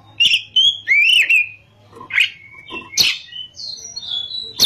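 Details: Oriental magpie-robin singing in nembak and ngerol style: a burst of sharp notes, a warbled rising-falling whistle, loud explosive chips and a pair of clear, high, level whistles, over a soft low hum.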